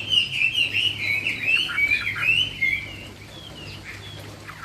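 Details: A Chinese hwamei, named 'họa mi cao cầu', pours out a clear, looping string of slurred whistles, strong for three seconds and then fading to softer notes, over a low steady hum.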